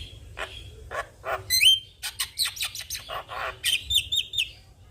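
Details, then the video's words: Javan myna singing actively and nodding its head, used as master song for training young mynas; harsh rasping notes alternate with high sliding whistles and buzzy bursts, with a low hum beneath. "Burung jalak Kebo Gacor manggut2 Pas Untuk Masteran dan Pancingan Jalak Muda"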